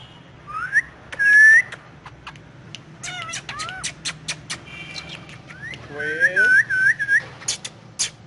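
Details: Pet ringneck parakeet talking in Urdu/Hindi while on pillows; a high sustained whistle, clicky chatter, then a rapid wavering whistled trill over lower stacked arcs, many short ticks throughout.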